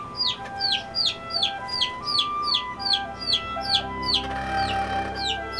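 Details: Cage-free bantam chickens from a backyard flock in a city; high, sharply falling chirps repeat about two or three times a second in an uneven run, over steady background music tones.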